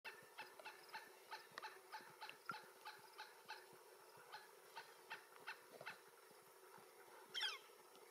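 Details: A camouflaged, very vocal Pileated Woodpecker gives a long, fairly quiet series of loud, slightly nasal notes, about three per second, with a brief sharper sound near the end.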